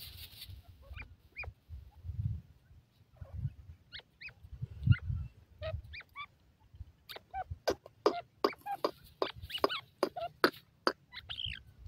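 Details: Grey francolin (gorela teetar) calling with spaced, short, squeaky notes. They then quicken into a dense run of sharp chirps over the last few seconds, with low thumping noises in between.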